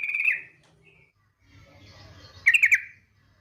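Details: Female yellow-vented bulbul giving a rattling ngetir call, used as a lure to set other bulbuls singing: two short buzzy trilled bursts, the second a quick stutter of four notes, with quiet background hum between.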